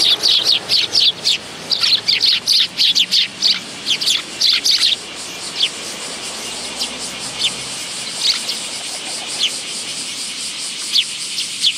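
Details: Several willow tits at a bench feeding spot at a Tenmangu shrine, 10 August 2022: rapid, thin, high chirping notes packed closely for five seconds, then scattered single chips, over a steady high insect-like hiss.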